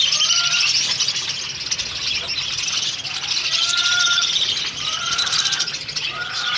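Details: Pet budgerigars in the Philippines chatter busily, a dense mix of scratchy warbles and short clear whistles.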